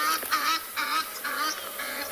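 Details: Geese calling noisily during a morning safari drive in a South African private game reserve, as if having a big argument, while buffalo wade into the water; harsh, broad honking bursts in quick succession, with a low engine drone underneath.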